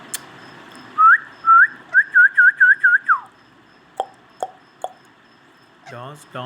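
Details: Pet ringneck parrot giving a run of clear whistled notes. Early notes rise at the end; later ones come quickly as short dipping slurs, about eight in two seconds. Sharp clicks and a rustle follow in a small indoor room.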